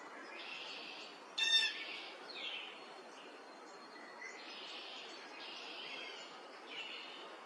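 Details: A male red-bellied woodpecker in Woodstock, New Brunswick, on May 3, 2025, gives soft, burry rolling notes every second or so, with one louder harsh call early on, over steady background hiss.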